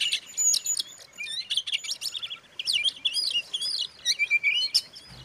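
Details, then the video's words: White-rumped shama song for provoking other shamas: long, rich, fast medley of whistles, trills and slurred chirps, with brief pauses between bursts and a low thump at the very end. "suara kacer buat pancingan kacer lain emosi"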